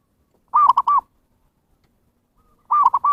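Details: Lure call of the zebra dove for luring wild birds: a staccato cooing phrase of three quick notes, repeated after about two seconds of quiet, clean and close with no background sounds.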